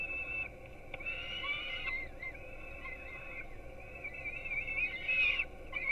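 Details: Nestling peregrine falcons at Gdynia, Poland, receiving breakfast at 4:21 am on a webcam: a series of whiny, quavering begging cries, softer in the middle and swelling again near the end, with a low steady hum.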